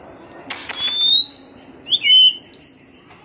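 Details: Lure song of white-rumped shama: a long clear rising whistle after clicks, a bright twisting phrase, then another high upslurred whistle.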